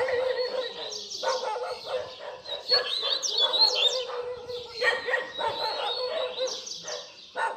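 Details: Double-collared seedeater in the harsh baderna song style, used to teach young birds to sing: dense buzzy, chattering bursts stacked over a low rasp, with high thin whistled sweeps and trills breaking through mid-phrase, continuous for several seconds.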